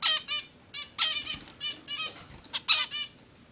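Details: A male zebra finch building a nest for a female gives short nasal, toy-trumpet beeps in quick runs, several calls every half second, with a brief flutter of wings among them.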